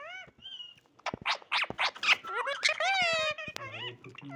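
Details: Pet parrot indoors giving a run of harsh, broadband squawks followed by drawn-out harmonic, speech-like whistled tones that bend up and down, with clicks and a low hum near the end.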